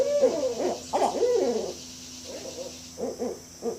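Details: Barred owl calling in a burst of loud, wavering hoots whose pitch bends up and down. After a short pause come several softer, clipped hoots in quick succession.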